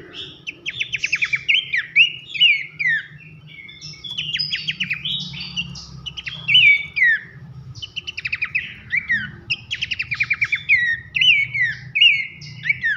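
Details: Abbott's babbler in a loud masteran for training contest songbirds: thirteen seconds of nembak rattles and nyiul whistles alternating, with quick stuttering trills and sweeping downslurred whistles, unbroken over a soft low hum.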